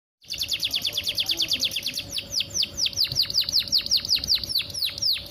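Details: Canary song used in the morning as a lure to get young, stalled, stressed or post-moult canaries singing: rapid series of sharp, high, downward-sweeping chirps, about two per second, steady and loud throughout, with a faint low hum beneath.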